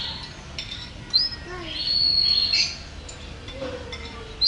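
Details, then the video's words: Champion canary in lively song: a long level whistle held for over a second, flanked by sharp upslurred notes and softer warbled phrases, against faint low background noise. "Video Burung Kenari Juara Gacor"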